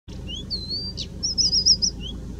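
A European stonechat gives a brief, scratchy, high warble of quick whistled notes and rapid trilled phrases, over a low background hum.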